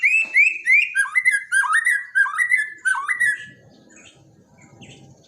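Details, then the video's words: Borneo white-rumped shama song used as daily training material for caged shamas that have stopped singing: a rapid run of loud, rich whistled phrases with slurred rising and falling notes for over three seconds, then faint low rumbling background. "borneo dokter burung murai mandek (Masteran harian)"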